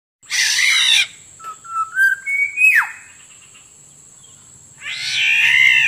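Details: Black-naped Oriole lure recording used to attract wild birds: a harsh, nasal, cat-like squall, then a few short fluty whistled notes climbing in pitch and a sharp downslurred note, then another long raspy squall, over a steady thin high tone.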